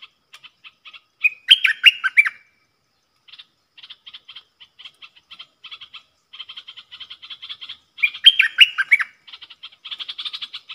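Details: Puff-backed Bulbul, wild and loud-voiced, sings back at a caged lure bird without coming close. Two bursts of rich, tumbling warbled notes stand about six seconds apart, with runs of quick dry ticking notes between them.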